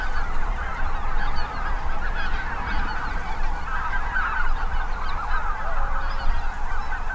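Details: Migrating mixed goose flock of five species, mostly Snow Geese, at a Minnesota impoundment. Massed honks and yelps blend into a thick, slightly softer chattering chorus, carried over continuous low wind noise.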